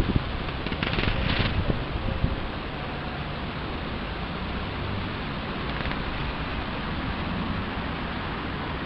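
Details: Dense roaring wind or traffic noise fills the whole recording, a little louder during the first two seconds, with no animal heard.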